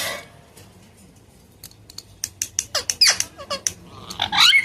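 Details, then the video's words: A very talkative pet parrot gives a run of quick, sharp, high clicks and chirps, ending in a louder burst of squeaky, warbling notes, with a low room hum. "Very talkative parrot mithu chirping sound"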